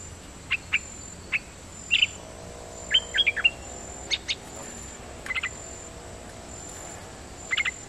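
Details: Dok Taeng bird, a kept songbird used as a decoy singer, giving doubled song notes: short sharp chirps spaced about a second apart, some in quick pairs, with a faint steady high hiss behind.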